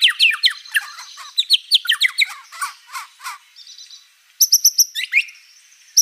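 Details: White-rumped shama singing gacor with many fill-in phrases: rapid varied chirps and sharp whistled notes, a short buzzy trill midway, then bright high repeated notes after a brief pause.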